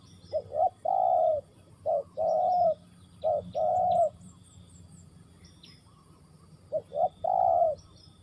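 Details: Spotted dove calling in Ninh Thuận: low hollow cooing phrases, each two quick short notes followed by a longer drawn-out coo. The phrase is repeated about four times over eight seconds, with faint high chirps from other small birds.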